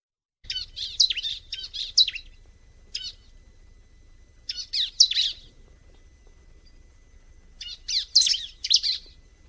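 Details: Bar-winged prinia, known locally as ciblek, singing: bursts of high, sharp chirped notes in quick clusters, a pause, then further clusters; faint low hum underneath.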